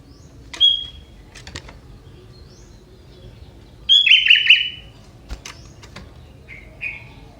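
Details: Young wild forest sooty-headed bulbul singing a song with prinia-like elements: scattered short sharp notes, then a loud buzzy trilled phrase near four seconds and a fainter slurred note near the end. The background is quiet.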